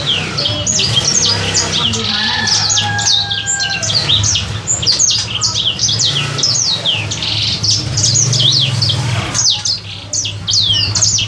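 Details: Caged sanger bird, kept for three months, learning its song: dense, rapid high chirps and downslurred notes pour out continuously, over a steady low hum.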